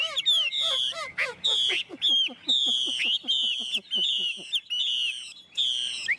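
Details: Tame caged Chinese hwamei singing a loud, rich song: bright whistled phrases held near one pitch, alternating with quick falling slurs and clipped notes, phrases broken by short pauses roughly every half second.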